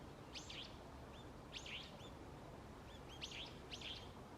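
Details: Forest birds singing early on an autumn morning. Bright, swooping chirps come in small clusters with short upslurred notes between them, repeated about every second, over soft background hiss.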